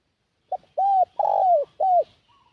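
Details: Spotted dove kept as a decoy to lure wild doves, cooing: a short clipped opening note followed by three longer, mellow coos, the last two sliding downward, spread over about one and a half seconds in quiet surroundings.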